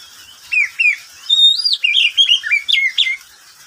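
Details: Pet oriental magpie-robin singing at midday: two separate whistled chirps, then a sustained high whistle followed by a quick series of sweet sliding notes.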